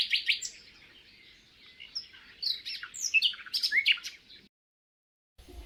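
A Common Nightingale sings a rich, varied phrase of rapid chattering notes, clear whistles and buzzy trills, then falls silent before a faint burst of noise.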